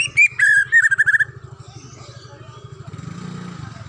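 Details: Wild white-rumped shama giving a brief burst of song: a rising whistle and a fast run of bright chirps lasting about a second, then only a low throbbing mechanical hum.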